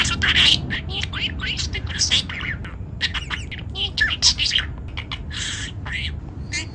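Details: A talking pet budgerigar grumbles at its owner about a short sunbath on November 2: fast, scratchy chatter of imitated words mixed with sharp chirps and squeaks, continuing throughout over a faint background.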